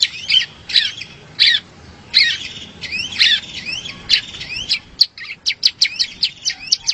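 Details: For training competition songbirds, a bar-winged prinia sings: loud chirps with slurred upward sweeps at roughly one-second spacing, then a quicker run of short notes, against a soft low rumble.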